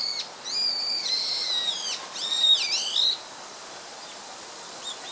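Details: A rare song thrush recorded in Japan on 24 March 2014 gives clear, high whistled notes: a held tone, then falling and dipping slurs over about three seconds, against a quiet background.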